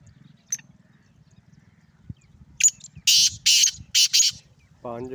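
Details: A male black francolin of Sindh calls with a loud rasping series of about five harsh buzzy notes, after some soft chirps; a short low tonal hum enters right at the end.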